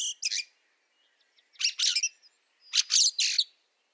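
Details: A Fieldfare in the snow of Liepāja, Latvia, March 2023, utters three short bursts of harsh chattering notes spaced over four seconds in near silence.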